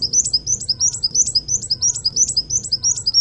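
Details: Sunbird song used as a masteran training recording for cage birds: bright, high whistled phrases, each a quick rising-and-falling squeak, repeated about once per second in an even series over a soft low rumble.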